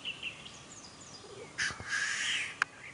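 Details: A displaying (lekking) black grouse in the Ammergau Alps, May 2015, gives a loud rushing hiss lasting about a second after a faint low bubbling note; thin high whistles from other birds early on.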